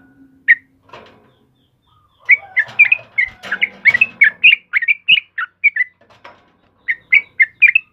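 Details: Yellow-vented bulbul in full gacor voice, a pancingan recording for caged birds: a lone chirp and faint low hum open, then a dense chattering run of bubbly notes, a pause and another quick burst.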